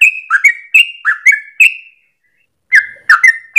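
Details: Sooty-headed bulbul, a captive bird singing a long rapid 'ropel' song used as a training lure: bubbly whistled two-note phrases near mid pitch, dropping then levelling, in quick succession, then a pause of under a second before more phrases.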